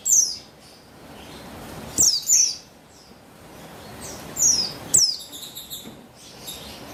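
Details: Female buxtoni white-eye, used as a lure so males start singing, dated 3/8/21: high thin downslurred chirps, often doubled, spaced around two seconds apart, with softer twitters near the end.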